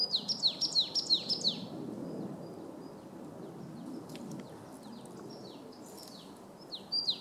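A marsh tit sings a quick run of high, downslurred notes, about eight in under two seconds, then begins again after a pause, over a soft rumble of wind.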